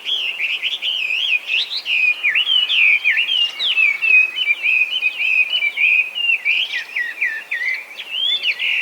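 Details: Wild-living Chinese hwamei in Japan, an escaped cage bird now invasive, pouring out loud, beautiful, nonstop song: looping whistled phrases and quick up-and-down slurs running together without a gap.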